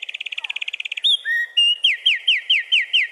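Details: A wren sings his heart out in territorial defence, opening with a fast dry trill of ticking notes, then a bright whistled note and a string of loud downslurred notes repeated about four times a second.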